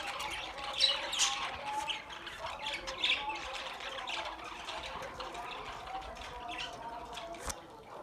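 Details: Quieter budgerigar chatter, soft warbling and a few louder squeaky notes near the start, fading into a low, continuous twitter with one sharp click near the end.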